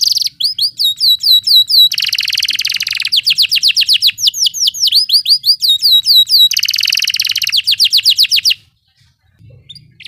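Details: Canary rolling song played as tutor audio for other songbirds: alternating phrases of rapid rising chips and dense buzzy rattles, repeated about four times a second, ending abruptly in near silence.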